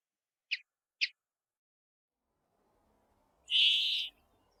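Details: Brambling in Japan: two short, sharp high notes half a second apart, then a harsh, nasal, buzzy note lasting over half a second.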